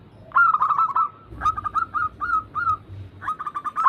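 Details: Zebra dove song for prompting other doves: a fast burst of coo notes, then slower separated upslurred notes, and a final quick run, over faint low background rumble.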